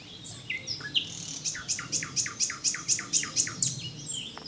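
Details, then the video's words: Singing common nightingale; a few varied whistles, then a loud series of about ten identical sharp repeated notes, evenly spaced roughly four per second, over quiet low background rumble. "Zingende nachtegaal"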